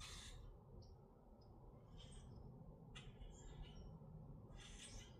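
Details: Grackles in Minnesota give raspy squawks interspersed with brief squeaky whistled notes, in an uneven rhythm over a low rumbling background.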